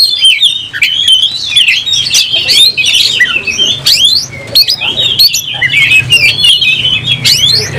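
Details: A caged oriental magpie-robin sings loudly while fighting, tail spread, in a rapid, unbroken stream of high whistles, sharp rising and falling slurs and chattering notes, with a low hum beneath.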